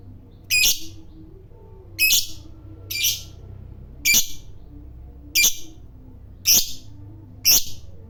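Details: A fighter lovebird gives seven clipped, harsh high calls at irregular intervals of about one second, with low background hum between.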